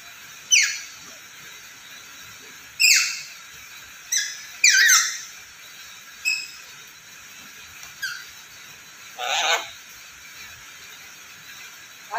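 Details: Black-capped lory, described as vocal and able to talk, giving a loose series of about eight short, harsh, squeaky squawks spread irregularly over twelve seconds, some doubled, against a faint background hiss.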